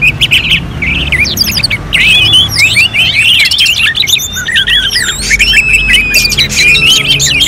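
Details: Bursts of sharp repeated notes from an Orange-headed thrush, arranged like a songbird-contest simulation, flow into long varied warbling with zigzag whistles and trills, continuous and loud over low background noise.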